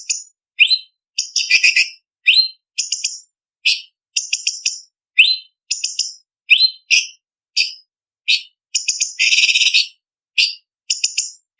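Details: Sharp, varied blue-winged leafbird tutor song for contests. Brisk repeated phrases of rising whistles and short chattering bursts, with a longer dense rasping trill near the end.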